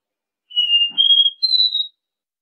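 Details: Copper seedeater's Dó Ré Mi three-note teaching song: a steady whistle, a slightly higher second note, then a brief pause before a third, highest note; a faint low tap under the second note.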